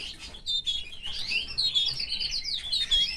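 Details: Caged canary living with its family, singing in a sweet varied stream of high chirps, short whistled notes and rising and falling warbles, with a faint low hum underneath.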